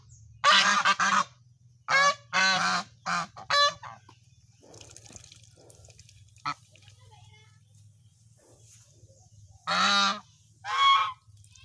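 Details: Goose honks in a quick run of harsh bursts, then a long quiet stretch with faint sounds, before two final loud nasal honks.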